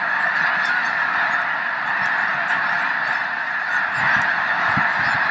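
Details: Over a million snow geese gathered at Loess Bluffs National Wildlife Refuge in February 2020. Thousands of honks merge into one steady, seething wall of sound, with faint low thumps underneath.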